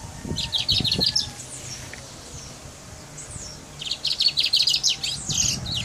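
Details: Singing brown mustache from Guyana: two quick bursts of high, rapidly repeated chipping notes, separated by a pause of about two and a half seconds, with some low thumps early on.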